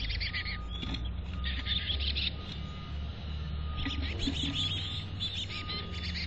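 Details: High twittering chirps from chickadees at a North Vancouver nest box come in clustered bursts throughout, over a steady faint tone and low background rumble.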